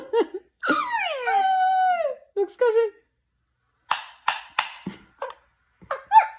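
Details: A talking pet rose-ringed parakeet named Richie says Russian words in high, slightly nasal, speech-like phrases: a long gliding word, then quick clipped syllables, while someone laughs softly in a small room.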